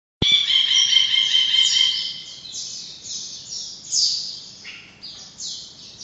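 An Ashy Bulbul opens with a long, bright, nasal note, then breaks into quicker, high, slurred chattering notes that fall away, roughly two to three each second.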